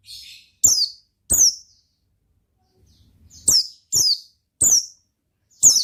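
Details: Oriental white-eye singing in ngalas style: seven high, thin, falling notes, a pair early on, a quiet gap, then four more in steady succession.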